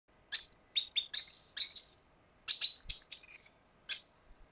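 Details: Red siskin from Venezuela singing: short bursts of high, bright chirps and twittered notes in two groups separated by a brief pause, with a final lone chirp; quiet background.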